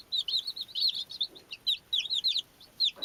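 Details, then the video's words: Baby chicks chirping in short clusters of high, bright peeps separated by brief gaps, each burst a few rapid, up-and-down notes. "Beautiful Baby chicks-Chirping Sound"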